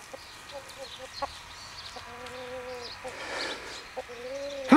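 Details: A young Agent rooster, a new Danish breed from Odsherred, gives a faint, distant crow: a sustained, level, hoarse note of about a second, then a second crow beginning at the end, over faint background noise; finding: chicken.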